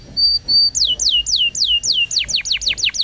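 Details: Canary song used as a training recording for young canaries: two steady whistled notes, then a run of sweeping downslurred whistles repeated about three times a second, ending in quicker falling chips.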